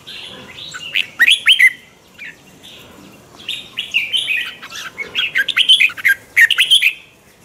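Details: Red-whiskered bulbul singing a morning training song in twisted voice with provoking chatter: sharp bright notes in small clusters, building to a busy run of quick slurred whistles and chatters.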